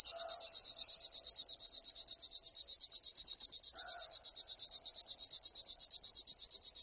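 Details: A river warbler's song as an even, grasshopper-like chirring of fast repeated pulses, high and metallic, running throughout, with two soft low murmurs in the background.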